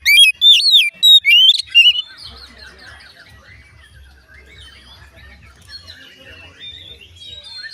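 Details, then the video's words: Oriental magpie-robin song, said to make other magpie-robins start singing when they hear it. A loud two-second burst of varied, sweeping whistled notes gives way to faint, scattered chattering and a low background hum. "dijamin Kacer lain ikut bunyi"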